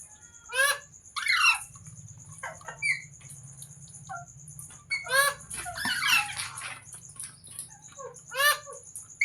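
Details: Pet parrot giving short, harsh descending squawks at irregular intervals, with a low steady hum and a faint high electronic whine in the background.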